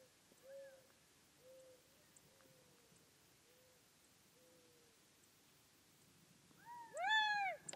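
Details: Gambel's quail: a series of soft, low, short notes repeated roughly every second against light background hiss, ending with a loud, harmonic-rich, arched nasal call.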